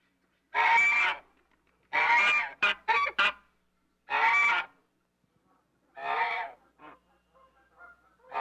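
An African goose gives loud, harsh nasal honks, about half a second each, with a quick double honk and softer trailing notes.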